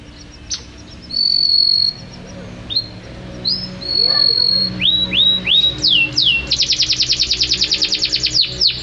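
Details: Canary in full song: high steady whistles, then a series of downward-sweeping notes leading into a fast, rhythmic trill of repeated chips.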